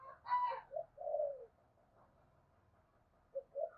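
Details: Spotted dove lure call for attracting doves. A brief higher note comes first, then a mellow falling coo. After a quiet gap, low coos return, all over background hiss.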